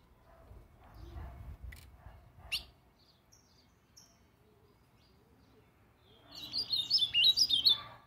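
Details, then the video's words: Ultramarine grosbeak singing: after several seconds of low rustling and faint clicks, a quick, bright run of high warbled whistles bursts out near the end, rising and falling in rapid succession. "Azulão soltando uns cantos"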